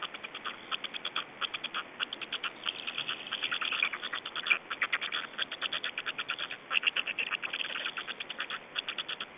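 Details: Black storks in Estonia on 25 May 2012 around 17:03, during feeding and a change-over: dense, fast runs of harsh, rasping pulsed calls, several per second, rising and falling in loudness throughout, sound muffled and thin.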